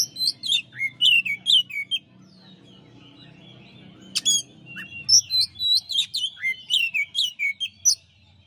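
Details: Champion white-rumped shama, known locally as kacer, in a master song recording: rapid bursts of varied whistles, sharp chirps and trills, a short pause near the middle, then dense, energetic phrases resuming, with a faint low hum beneath.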